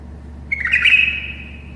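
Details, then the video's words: A tame bulbul sings for other bulbuls so they learn to sing, giving a single bright gurgling phrase that settles into a sustained whistled tail, with a faint constant hum underneath. "تغريد بلبل أليف يساعد البلابل القافلة على التغريد."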